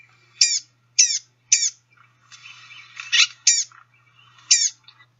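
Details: Blue-gray Gnatcatcher, played from a field-guide app: short, thin, nasal, catbird-like whining calls, likened to tiny people screaming, in bursts about every half second, then a softer, scratchy warbled run of song notes.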